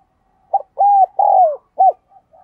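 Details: A spotted dove used as a lure bird coos and calls: a single clear phrase of short and drawn-out mellow notes, the longest sliding downward, ending with a rounded coo and faint trailing murmurs.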